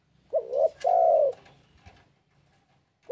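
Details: Spotted dove in breeding condition calling to a rival: a rising two-part coo, a short note then a longer, steadier coo, with a further coo beginning at the very end.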